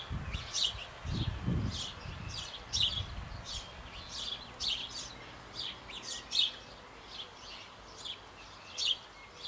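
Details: Nestling sparrows being fed by both parents in a birdhouse on an old apple tree in Bavaria, just before fledging; steady series of sharp high chirps about twice a second, with low bumping sounds early on.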